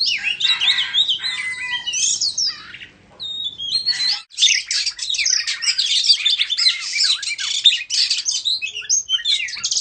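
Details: An Indonesian white-rumped shama sings in a tail-fanning dance, opening with sweet looping whistles, a brief lull, then a dense, buzzy stream of rapid high chatter and scratchy notes.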